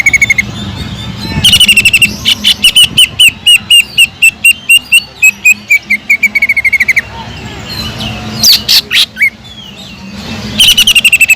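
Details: Training recording of a vocal greater green leafbird with a kingfisher (tengkek udang) imitation: a long run of evenly repeated sharp notes, a pause, buzzy broken bursts, then another fast series to finish.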